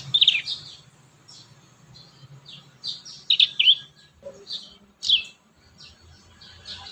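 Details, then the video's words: Prinia song played to teach young prinias to sing: scattered sharp high chirps and short trills with gaps between them, and a faint low hum underneath. "Masteran | pancingan burung prenjak muda | prenjak bakalan"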